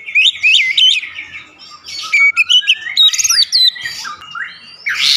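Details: Oriental magpie-robin, a kept songbird, pouring out a rich varied song of rapid chirps, buzzy notes and clear whistled slides, dense and fast with few pauses.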